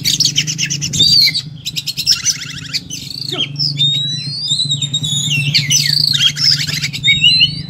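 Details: Oriental magpie-robin fully fired up for fighting, spewing its repertoire: buzzy rattling bursts, quick sliding whistles and crisp chips in rapid succession, phrases shifting every few seconds over a persistent low droning hum.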